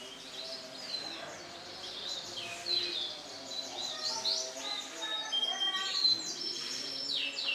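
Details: Male canary of bright lemon colour singing: high, sweet whistled notes and quick sliding trills, with varied phrases running continuously over a soft, steady lower hum that sounds like faint music in the background.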